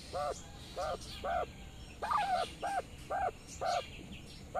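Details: Mother quail calling her twelve small chicks to follow her as they graze out in the sun; short arched, harmonic notes repeated about twice a second, a few brief higher peeps, and steady low background noise.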